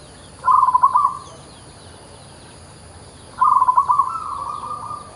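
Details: Vigorously singing local zebra dove delivers two bursts of quick, stuttering, bubbly coos roughly three seconds apart. The second trails into a longer steady tone, with quiet gaps and faint hiss between.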